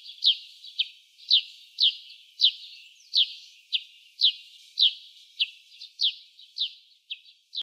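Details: In early spring, a Eurasian tree sparrow gives a steady, rhythmic series of bright, high chirps, about two each second, each a quick downward flick, thought to be song; nothing else intrudes.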